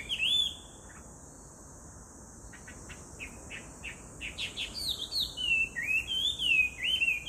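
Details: Chinese hwamei, July 2019: after a short whistle and a quiet stretch with scattered soft notes, loud rolling whistled phrases build up in the final seconds, with a steady insect drone underneath.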